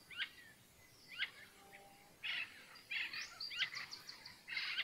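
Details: Andean parrots at dawn in a bird nature reserve: scattered short raspy squawks and clicks, then louder harsh grating calls in quick bursts and a final loud squawk, with faint thin whistles between.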